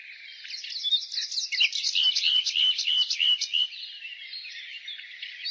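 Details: Nightingale singing in spring: a jumbled opening flows into a run of repeated throaty chuckling notes, about three per second, fading into softer warbling amid a busy chorus of other birds.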